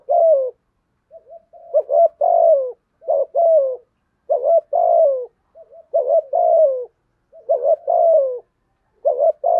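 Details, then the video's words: Rhythmic thúc gù from a spotted dove in thổ voice style, roughly one phrase every one and a half seconds: a clipped note and a longer descending coo, with faint short murmurs between. "cu gáy thúc gù giọng thổ"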